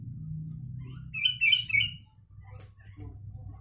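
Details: Song of a sooty-headed bulbul carrying Javan myna mimicry: one short run of three or four warbled whistles, fairly loud, then quieter ticks, all over a steady low droning background.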